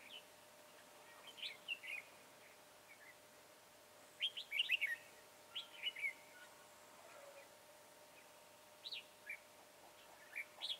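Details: On 22 January 2018 a slim, high-crested, dark-bibbed red-whiskered bulbul at a trap; short bubbly whistled phrases come in groups every few seconds, with quiet stretches between.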